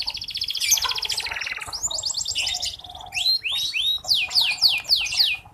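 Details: Red local canary song for tutoring juvenile canaries: a loud fast trill, then buzzy rolled notes and a series of bright downward-sweeping whistles repeated about once a second, clear and close.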